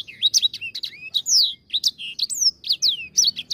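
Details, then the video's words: Lively lure song of a grey singing finch: dense, nonstop high whistled notes that rise and fall quickly, with a few drawn-out swooping slurs. "Pancingan Ampuh Langsung Bunyi | EDEL SANGER GACOR"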